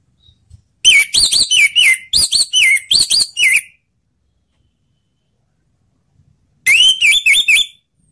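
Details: Orange-headed thrush singing to encourage other thrushes: a long run of loud, repeated whistled notes that bend up and down, then a pause of about three seconds and a second shorter warbling series.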